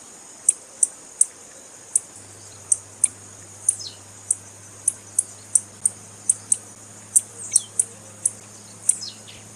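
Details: Evenly paced sharp high chips from a female blue-black grassquit, roughly two per second, with occasional descending slurs; the call is used to stir males into singing. A low electrical hum runs throughout.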